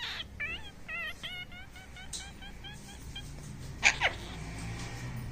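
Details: Talking parrot indoors gives a quick run of about a dozen short, identical chirped notes, evenly spaced, followed by a pair of sharp louder clicks over steady background hum.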